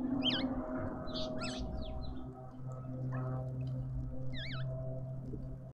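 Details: Southern boubou in a suburban garden in Pretoria, South Africa, giving two quick, wavering whistled notes that zigzag up and down, a few seconds apart, with brief chips between, over a steady low rumble.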